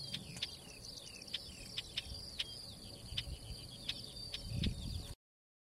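Isabelline wheatear giving a rapid run of high, chirpy downslurred notes and sharp clicks, several per second, over low wind rumble.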